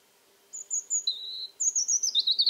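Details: On a warm October evening at an old house in Alentejo, a European Robin sings thin high whistles, a sustained lower note, then a quick descending twittering run of rapid pulses.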